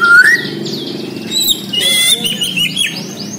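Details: Bornean white-rumped shama song: a loud rising whistle opens, then a tumble of high, sliding, theremin-like notes and a brief buzzy burst follow, all within a few seconds.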